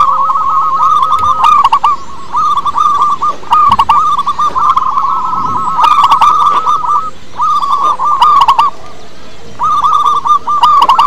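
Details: Local zebra dove, valued as a lure for other doves, sings continuous rolling trills of quick coo notes in long stretches, with short breaks and frequent sharp clicks in the background.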